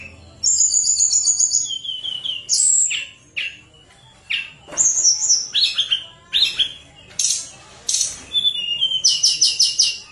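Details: A Sunda warbler sings energetically in a recording meant to coax reluctant birds into singing. Sharp high whistles, rapid trills and short falling notes come in bursts about a second apart.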